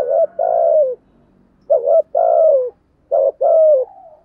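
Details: Spotted dove giving the urging 'gù thúc' coo used to provoke other doves and train decoy birds: three phrases, each a short low note then a longer hoarse coo that slides downward, spaced about every 1.5 seconds.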